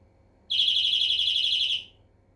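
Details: A single fast ringing trill from a European greenfinch, rapid identical notes run together for about one and a quarter seconds, then fading out.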